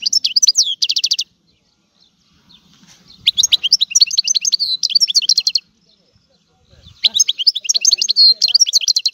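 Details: European goldfinch, Sicilian, singing an old-style song in three bursts of rapid high twittering and trills, separated by quiet gaps with faint low rustling.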